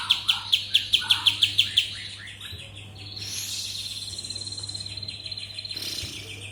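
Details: Song of a kapas tembak bird, opening with a quick series of sharp repeated chips about six per second, then a long jumbled stream of high twittering. A constant low hum runs underneath.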